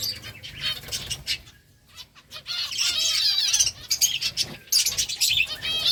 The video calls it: Beautiful finches eating rice 🍚 birds chirping sounds